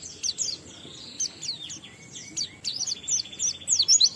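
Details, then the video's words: Pleci, the Oriental white-eye, singing the 'ngalas' style with 'isian' fill, intended to stimulate other white-eyes to sing; thin, high twittering over a faint steady tone, growing louder and busier toward the end. "Burung Pleci Gacor NGALAS Isian sambung Riwikan Materi Ampuh Merangsang Semua Pleci langsung Gacor"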